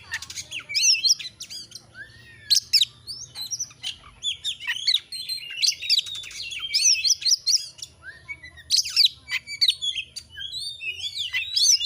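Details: Gacor kacer, an Oriental magpie-robin, used as masteran to rouse birds: long continuous torrent of varied whistles, trills and squeaky upslurs, with louder bursts near the start and end.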